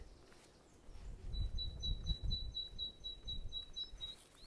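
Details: A great tit sings a thin, high, rapidly repeated series of short piping notes, faint behind steady gusty wind. Recorded on an early-morning walk on a breezy day, 19 April 2024, in the Undercliff at St Lawrence, Isle of Wight.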